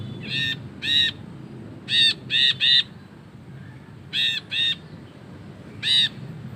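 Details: Long 'ngekek' chattering of an ashy bulbul, made as a tutor recording: harsh buzzy notes in loose groups of two and three, separated by short pauses, ending with a single note.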